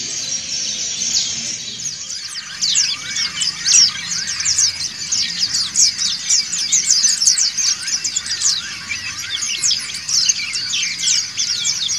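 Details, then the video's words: Ngriwik group song of many white-eyes, dakun and montanus kinds, meant for training caged white-eyes: after a quieter opening, a thick tangle of sharp high twitters and flicked notes builds and continues densely. "PLECI DAKUN NGRIWIK BERJAMAAH"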